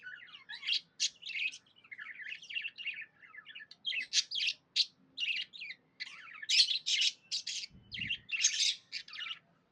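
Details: Budgerigar chirping happily in a long stream of rapid, buzzy, scratchy notes and warbles, with a soft thud near the end.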